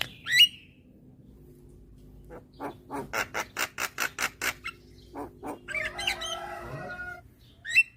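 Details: Young white-eyed Javan myna calling with nodding to lure hybrid mynas: a loud whistle, then a regular series of about ten harsh, clipped notes, followed by a scratchy trill and a final sharp whistle.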